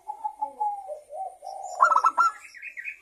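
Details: Perkutut (zebra dove) lure song to prompt other doves: a run of soft steady coos building into a quick stuttered burst, ending in higher rising notes.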